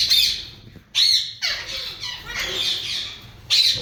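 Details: Breeding pair of yellow Indian ringneck parakeets: loud, grating screeches at the start and end, with a long raspy, rolling squawk filling the middle.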